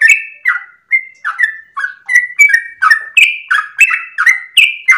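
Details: Dawn song of a caged sooty-headed bulbul, a long lively run: rapid chain of bubbly two-part notes, each sliding downward, delivered about three per second with steady loudness and a clean background.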